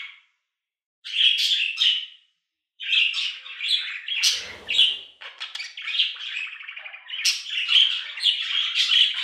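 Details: Budgerigar chattering for cats to sleep, repeated buzzy chirps and scratchy warbles in near-continuous runs after a brief opening pause.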